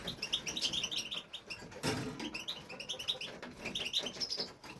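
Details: Caged male European goldfinch singing in an aviary; quick runs of tinkling, twittering notes, a short pause broken by a dull thump near the middle, then the bright chatter resumes.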